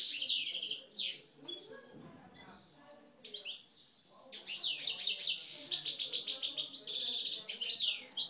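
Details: Algerian parva goldfinches, caged, sing aggressively. A loud buzzy trill opens the clip, and after a quieter gap comes a long, rapid run of high, tinkling, rattled notes.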